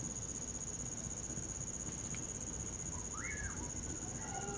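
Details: Common pauraque singing in winter darkness: one upslurred whistle that drops away near the end, with fainter whistled notes after it. A continuous high cricket tone and a crackling fire fill the background.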